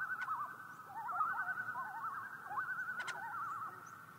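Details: Common loon calling in a recording by the National Park Service: wavering, rapidly warbled tones that rise and fall in quick loops, repeated in several bursts over a steady low background hum.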